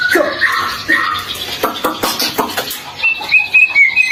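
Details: White-rumped shama song played as a lure for morning and evening to prompt other shamas to sing: rich whistled notes that rise and fall, mixed with sharp clicks, ending in a high, thin, wavering whistle.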